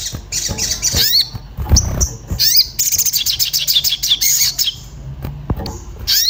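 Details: Agitated orange-bellied flowerpecker seeking a mate, played as a lure to prompt singing: sharp high chips and downslurred notes, a long rapid buzzy trill through the middle, low thumps and handling noise beneath.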